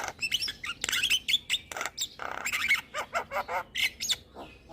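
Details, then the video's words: Javan myna in full song, played to lure and train moulting birds; dense chatter of rasping squawks, clicks and quick whistles, loud and continuous with short regular pulses toward the end. "Kicauan Jalak Kebo Full Manggut2 Buat Pancingan Dan Terapi Jalak Mabung"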